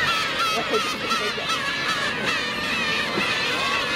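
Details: Black-tailed gulls, with adults cruelly attacking a chick, give a dense, overlapping chorus of nasal, mewing calls at a fast, uneven pace, with a steady noisy wash beneath.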